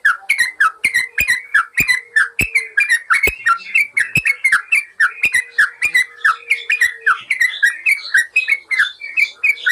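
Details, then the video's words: Yellow-vented bulbul master song for training caged birds that have gone quiet: long continuous stream of lively, liquid, down-slurred phrases in rapid succession with sharp clicks, over a faint steady hum. "Masteran burung trucukan bikin burung bermental"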